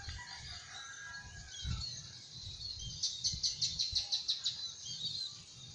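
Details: Javan kingfisher in a rice field, watching for prey; after faint background chirping, a loud series of about ten sharp, harsh notes rapidly repeated, with a low rural hum underneath.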